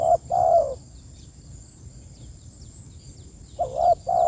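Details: Spotted dove calling to its companions. A mellow two-part coo ends, a pause of about three seconds follows, then a new phrase starts with a quick bent note and a fuller held coo. A thin constant whine sits behind.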